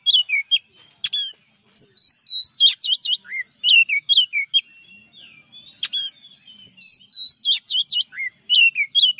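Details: Master song of a champion Oriental magpie-robin. Loud, varied, clear whistles and down-slurred notes come in dense bursts, broken by sharp high ticks and one brief quieter warbled stretch mid-phrase.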